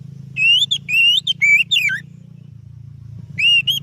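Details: Oriental magpie-robin singing, a song used as a lure for training other birds: loud clear whistled phrases rising and falling, harmonically rich, in bursts with a pause, over a low steady hum.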